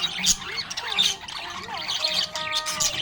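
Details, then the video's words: Happy budgerigar chatter of rapid squeaky chirps, short rising and falling whistles and harsh buzzy notes, fading slightly between bursts. "Happy budgie chirping sound"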